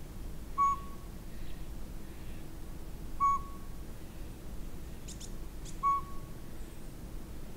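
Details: Northern pygmy owl at Sea To Sky Gondola giving clear, single whistled toots on one steady pitch, three evenly spaced about two and a half seconds apart, over a hissing background with faint high chirps.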